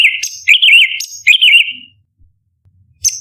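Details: Orange-bellied leafbird (cucak cungkok) giving 'tembakan' shot phrases, used as master song for contest birds: a high clear note then a warbled, wavering whistle, heard twice, ending with a brief high note after a pause.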